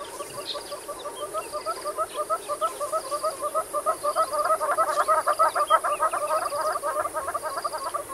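A Damara red-billed hornbill gives a long run of hollow, clucking notes, about three per second, swelling louder midway. A steady high insect whine and faint chips from other birds sit behind.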